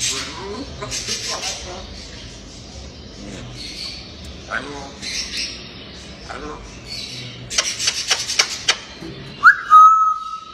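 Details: Playful, talking grey parrot. It gives a run of speech-like mimicked syllables mixed with short harsh squawks and clicks, then ends on a clear, steady whistled note.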